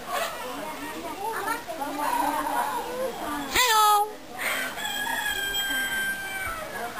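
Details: Talkative myna at Simuti longhouse, Borneo Highlands, greeting visitors with a mimicked "hello": a loud, harmonic, speech-like burst with a sharp upward sweep near the middle, then steadier tonal notes, over murmuring people and background chatter.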